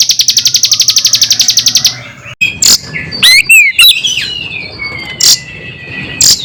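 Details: Bar-winged prinia song spliced with Oriental magpie-robin sounds, meant to provoke other birds: a rapid, even series of about fifteen high ringing chips for two seconds, then scattered whistled sweeps and sharp notes.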